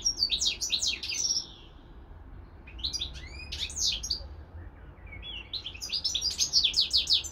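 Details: European goldfinch: a kept goldfinch, recorded alongside a greenfinch x canary hybrid, gives three bursts of quick, bright, tinkling twitters with short pauses between them, over a faint low background hum.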